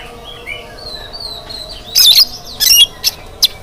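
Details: Morning singing from an oriental magpie-robin, used to draw song from other birds. Thin gliding whistles open the sequence, followed by several loud, noisy, harsh bursts and short sharp notes.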